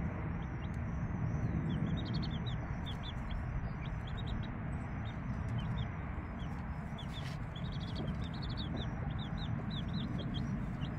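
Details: Hen with chicks three days old: bursts of rapid, high descending peeps from several chicks come in clusters, pausing in between, over persistent low rumble and a few sharp clicks.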